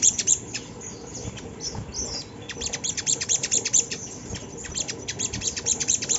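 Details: Sunda laughingthrush song used to lure young birds into singing: a fast, uneven stream of high, clipped chirps, thinning briefly in the middle before picking up again.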